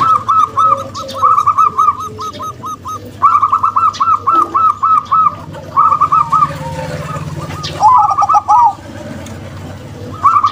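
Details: A local female zebra dove and a crossbred male give bursts of quick, stuttering mid-pitched coos that roll into trilled phrases, repeated several times, with faint high chirps in the background.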